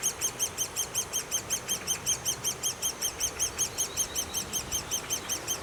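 Great spotted woodpecker nestlings keep up a high, rapid, steady chatter of begging calls, several notes each second, over soft background hiss.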